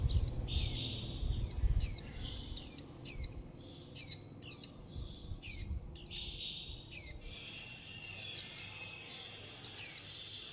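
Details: Begging calls of young warbling white-eyes calling mother and flock for food: a clean run of about fourteen high, thin, falling notes, each trailing into a faint sustained whistle, on a nearly silent background.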